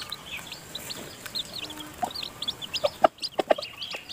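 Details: Mother hen with newly hatched chicks in her nest during feeding: high chick peeps throughout, then several short, low clucks and sharp clicks cluster near the end.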